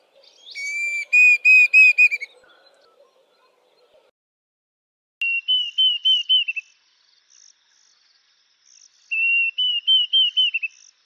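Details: Diederik cuckoo calling: three bursts of clear whistled notes, each a quick run of six or seven short, slightly rising syllables. The first burst is richer and fuller in tone. Faint high chirping sounds behind the later phrases.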